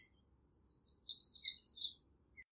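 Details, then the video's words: A single high, sibilant song from an American redstart: quick jumbled notes climbing gradually in pitch over about one and a half seconds before stopping abruptly. "American Redstart Singing - Candelita Norteña Cantando"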